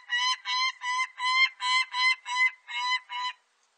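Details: Peregrine falcon, 2020 recording from Korea's national biological resources archive: nine hoarse, nasal notes repeated steadily at just under three per second, each rich in overtones, ending abruptly.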